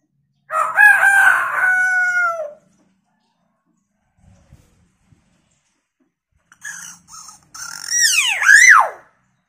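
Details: Hill myna imitating chicken sounds, opening with a long, loud, nasal, crowing-like note held about two seconds, then after a pause a few short notes and a burst of shrill, swooping whistles.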